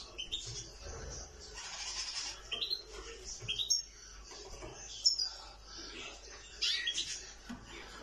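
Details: Nightingale song: a busy run of high, varied chirps and short whistled notes, some rising or falling. The phrases come at an uneven pace over a faint low hum.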